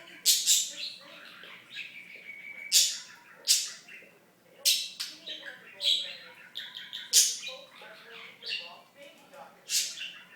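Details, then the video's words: Budgerigar kept as a pet chatters in imitation of speech, quick mumbled syllables interrupted by bright, hissing chirps every second or so, with brief clicky notes between. "Talking Budgie"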